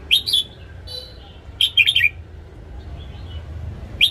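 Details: Morning song of a caged red-whiskered bulbul, used to train wild-caught birds: a chirpy opening phrase, a brief buzzy note, then a rapid run of four warbled notes and a last single chirp, over low steady noise.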